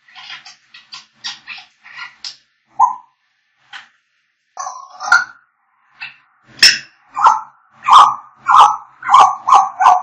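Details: African grey parrots singing and whistling: quick series of buzzy squawks, a few isolated notes, then a steady string of loud whistled calls repeated about every half second.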